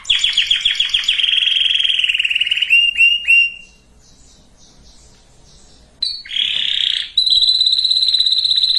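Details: Canary song for readying breeding hens and cocks: a fast rattling trill and buzzy roll, a pause of about two seconds, then renewed loud buzzy trills.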